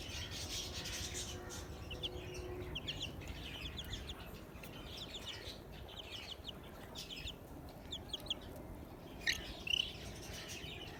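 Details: Desi chicken chicks, just hatched after 15 days, give repeated thin descending peeps in quick bursts, busier at first and sparser later, with one louder peep near the end over constant low background hum.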